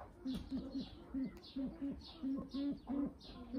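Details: Low, clipped hoarse notes from a brown eared pheasant follow one another in an uneven series, roughly one or two per second, with muffled background chatter and scattered higher sounds.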